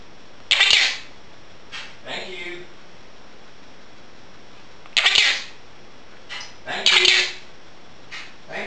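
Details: Quaker parrot, a female pet, talking indoors as dishes are washed; loud, harsh, noisy syllables in spaced pairs, with softer squeaky phrases between them.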